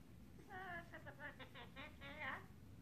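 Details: A Yellow-bibbed lory from the Solomons gives about two seconds of nasal, wavering, almost speech-like babbling syllables over a low indoor hum.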